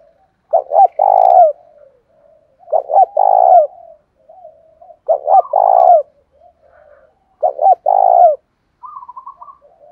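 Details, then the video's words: Spotted dove decoy bird with a 'thổ pha' voice, calling to draw wild doves in. It repeats a low phrase four times, roughly every two and a half seconds: a clipped double note, then a long husky coo, with faint murmurs between. "Chim Cu Mồi Thúc Đấu Rút Bổi Cực Chuẩn, cu gáy giọng thổ pha"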